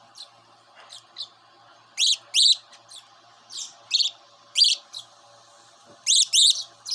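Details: Pet cockatiel, kept indoors and now grown from a baby into a young bird, giving bright harmonic chirps in short bursts, some paired quickly, scattered irregularly over seven seconds above a low steady background hum.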